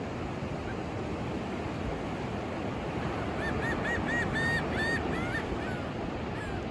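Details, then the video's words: At sunrise on Daytona Beach, Florida, on 14 March 2024 (mostly sunny, light 4 mph wind), a gull gives a quick run of about eight nasal, arched calls ending on a longer falling note over steady roaring surf. "Seagull sounds"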